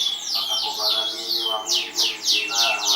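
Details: Winning canary from a 2014 contest: loud, sweeping high whistles sliding downward, each repeated several times in quick succession, over a softer mid-pitched warble.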